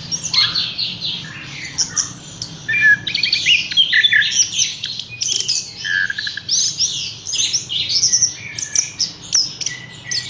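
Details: Caged Horsfield's bush lark singing a long, energetic medley of chattering trills, whistles and harsh squeaky notes in quick succession, with a faint low hum behind.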